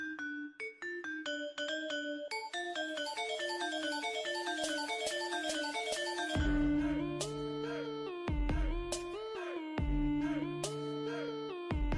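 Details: Electronic music with bright marimba-like notes and a heavy bass entering partway through; no animal can be heard.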